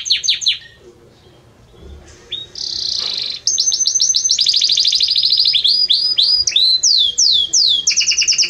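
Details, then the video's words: Belgian canary singing a loud, warm song: a few high chirps, a brief pause, then a long sustained note leading into rapid trills and repeated downward-sweeping whistles at a quick, steady pace. "Canto forte e muito quente deste Espetacular Canário Belga | Canary Singing"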